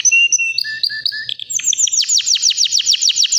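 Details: White canary, around three years old, opening with a few clear whistled notes and then breaking into a fast series of repeated downward-sweeping chirps, loud and rhythmic.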